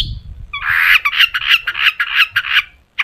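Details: Long-tailed shrike in vigorous, sharp song used to prompt other shrikes to sing; here a harsh, buzzy, grating chatter of rough notes pulsing about three times a second, with a low rumble at the start.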